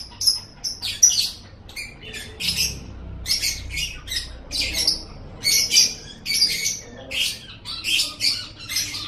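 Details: Lovebird chatter for triggering lovebirds to chatter: rhythmic bursts of scratchy, squeaky high notes, roughly two per second, with short pauses between groups.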